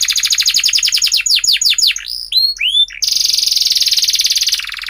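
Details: Canary song used as a lure to teach young canaries to sing: rapid buzzy trills, then a run of fast repeated downward-sweeping notes, a few slower swooping whistles, and a long dense rattling trill.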